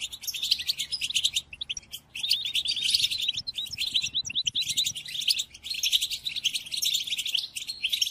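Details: Song used to train caged European goldfinches: rapid, jingling twitter phrases separated by short pauses, rich and buzzy, with a slightly hissy, noisy background.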